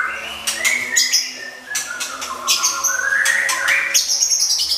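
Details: Oriental magpie-robin in a cage giving a masteran filler song: long sustained whistles rising and falling, mixed with rapid sharp clicks and high chips in a busy, continuous stream.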